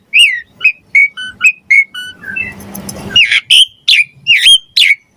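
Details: Javan pied starling singing, for teaching songbirds: a string of short whistled notes, a burst of harsh noise in the middle, then loud rising and falling whistles.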